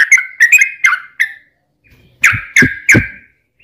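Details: Yellow-vented bulbul song used as a lure for other bulbuls. A short burst of bubbly chirps, a pause of about a second, then three louder chirps accompanied by low thumping handling noise.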